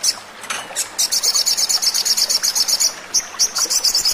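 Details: Sogon song used as a lure recording to make birds sing: rapid, very high, dry ticking trill of evenly spaced notes, broken by short pauses.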